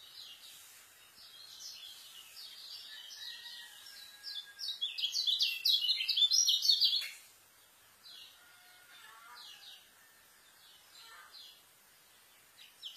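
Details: White-eye song used to tutor young birds: quiet distant twitter building into a dense burst of fast high chirps and chatter lasting a few seconds, then mostly faint background with scattered notes.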